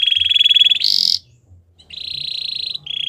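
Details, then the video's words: Belgian canary training song: a pulsed rolling trill steps up into a brief loud higher buzz, falls silent, then resumes as an even trilled roll ending on a slightly lower pitch. "Canary singing for training | Belgian canary song"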